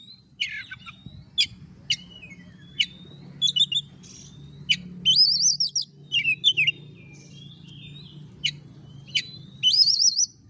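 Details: Oriental magpie-robin song used as a lure to make lazy magpie-robins start singing. Sharp whistled notes and short rising and falling whistles come in scattered bursts, with some buzzy trilled phrases, over a steady thin high tone.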